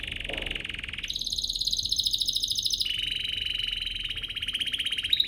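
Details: Canary singing to provoke other canaries into song. A continuous rapid rolling trill runs throughout, jumping abruptly to a higher-pitched tour and then dropping back to a slightly lower one, very even and fast.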